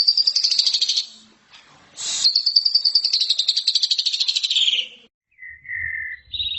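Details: Asian pied starling chatter from a training recording: a harsh pulsed burst, a sharp noisy note, a long rattling trill falling in pitch, then two soft whistles and a high note.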